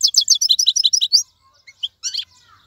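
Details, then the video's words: European goldfinch, a wild-caught cage bird, delivering a rapid string of about a dozen sharp, high chirps in just over one second, followed by a few scattered twittered notes. "مقنين خلوي يغرد بصوته النظيف, تغريد حسون بري دون توقف"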